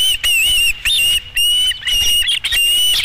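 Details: Osprey calling at the Dunrovin Ranch nest, 13 July 2016, during the fifth fish delivery: drawn-out, high, slightly wavering whistles broken by short gaps, with a few sharper chirps toward the end.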